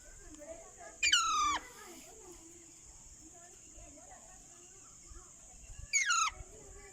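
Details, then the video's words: Ringneck parrot giving two loud, harsh screeching calls that sweep downward with stacked harmonics, roughly five seconds apart, over a quiet background with a steady high-pitched whine. "Raw Baby Parrot and RingneckTalking Parrot"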